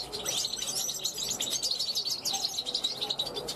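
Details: A young European goldfinch hatched in 2021 calls to wild goldfinches passing a balcony, a continuous run of high, tinkling, liquid twitters and chirps, fast and unbroken throughout.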